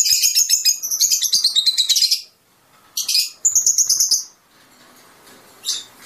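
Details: Fischer's lovebird song, said to prompt mating: a loud, busy, buzzy chattering run of about two seconds, a pause, a second shrill twittering burst, then one last high chirp.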